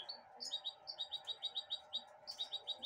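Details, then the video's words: Pet goldfinch hybrid eating broccoli from a hand gives quick, high chirps, about six per second, in two steady runs broken by a brief pause, over a low hum. "mixto de jilguero"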